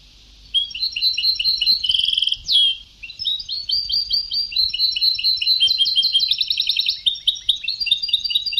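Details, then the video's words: European goldfinch singing on an old Sebtawi-style tape: rapid high twitters, a buzzy trill and a sharp slur, then a long, varied stream of tinkling chirps and fast rattling runs. "Canto del jilguero antiguo شريط تغريد سبتاوي قدييييييم"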